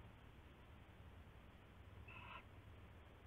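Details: Owlet in a nest box at night, 7 January 2016, with one brief harsh screeching call standing out from continuous steady static-like hiss.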